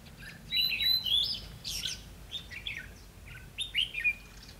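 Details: Trap decoy red-whiskered bulbul singing to draw and challenge wild birds, 20 May 2016; loud rich warbled phrases followed by softer chirps and a final rising-falling phrase, thin whistles above.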